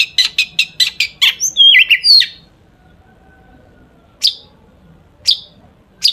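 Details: Long-tailed shrike song stuffed with imitated phrases, meant to provoke other shrikes into singing: a quick string of harsh chips, squeaky twisting whistles, then single sharp chips spaced about a second apart in quiet.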